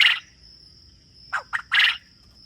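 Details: Quail on a farm calling: a harsh burst, a pause, then three quick rasping notes in a short phrase, over a steady high insect-like whine and low background rumble.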